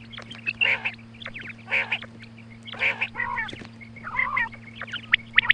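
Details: Female quail giving morning calls for hunters: rough, nasal bursts repeated about once a second, some followed by quick sharper notes, with a steady background hum.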